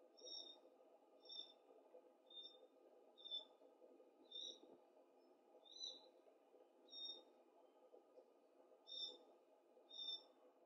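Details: Fledgling glossy black cockatoo being fed, making soft, short squeaky high calls about once a second, steady and repetitive, over a loud broad rumbling background noise.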